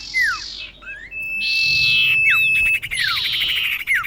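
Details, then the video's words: Female common iora calling for a male, as a trapping lure: harsh buzzy bursts alternate with steep falling whistles, with a long steady high whistle running through the middle. "Kicau cipoh betina memanggil jantan"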